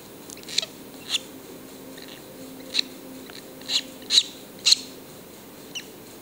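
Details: Two young yellow-collared lovebirds indoors give short, sharp, high chirps at irregular intervals, about seven calls spread over six seconds, with a faint low hum in the background.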